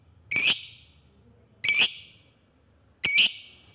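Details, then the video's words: Lovebird, fighter type, in 'ngetik' mode to stimulate other lovebirds: three short, harsh, buzzy high squawks about one and a third seconds apart, separated by near silence. "Suara Lovebird Ngetik Di Lanjut Ngekek Panjang"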